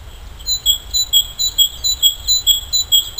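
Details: Great tit singing in spring as willows begin to leaf out, giving a bright, ringing two-note phrase, high then lower, repeated quickly about twice a second, with faint low background rumble.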